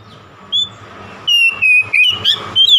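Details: Oriental magpie-robin song used to provoke a rival: after a short quiet start, clear whistled phrases, some sliding and some warbled, come in separate bursts, louder toward the end, over a low hum.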